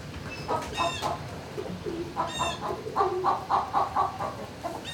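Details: Indoor turkey barn, 26 March 2019 near noon: fast, regular clucking notes, about four per second, in short bursts, with sharp small-bird chirps overhead.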